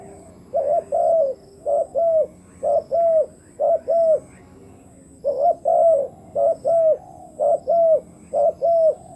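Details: Decoy spotted dove used to attract wild doves, cooing in paired notes, a clipped note then a longer curved coo, about nine pairs with a short pause midway.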